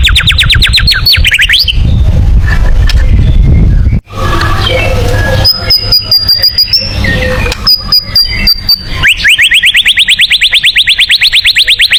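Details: White-rumped shama tembakan song, suited to contest birds: rapid strings of repeated rising notes at start and end, with high level whistles in between, over a rumbling, noisy background.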